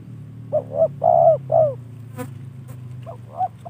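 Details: Trained spotted dove kept by a hobbyist, cooing a quick run of four rounded, slightly falling notes, then a gap with sharp clicks before softer coos resume against steady low rumble.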